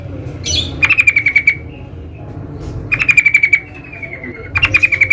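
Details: Sooty-headed bulbul singing in the wild, three rattled phrases of rapid pulses, each followed by a softer drawn-out note that slowly falls in pitch.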